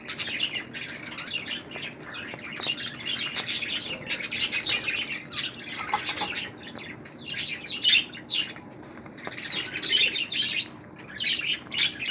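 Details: Budgerigar of the pearl (perlado) variety, recorded in 2018, giving a continuous busy warble of quick chirps, squeaks and short squawks with rising and falling bursts, indoors in a small room.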